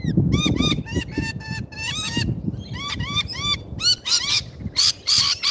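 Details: Lorikeets at a feeder in Australia, several birds giving rapid bursts of sharp, harmonic, downward-arching screeches in quick succession, near-continuous chatter, over a low rumbling background.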